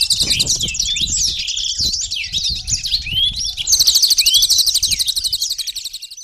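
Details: White-eyes in a colony, set against trickling water as training material for songbirds, give varied high twittering with rising and falling slurs, then break into a fast, rattling high trill.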